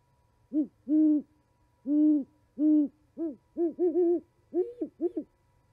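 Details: Owls conversing at an osprey nest in Charlo, Montana, in winter, 11 January 2020: a dozen or so low hoots, steady and spaced early, then faster, clipped, slightly higher notes crowding together at the end.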